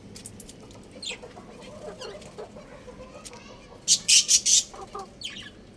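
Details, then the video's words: On a roof, a small rooster gives a few soft chirps. Then four loud, high chirps come in a tight row, followed by a fainter one. "Beautiful Little Rooster Chirping Sounds"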